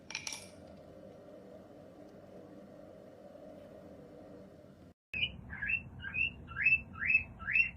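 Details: Pet cockatiel; a brief squeak, then near silence, then a run of six quick rising chirps repeated roughly every half second, clear and insistent, against faint background hum.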